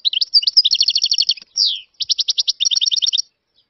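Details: European goldfinch singing: fast, bright twittering phrases of rapid repeated high notes. Short liquid trills are broken by a single drawn-out slurred note midway, then more quick chirping runs.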